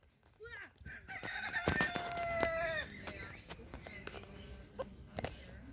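A Cochin rooster gives one loud, hoarse crow lasting under two seconds that trails off lower at the end, with small bird chirps and scattered knocks around it.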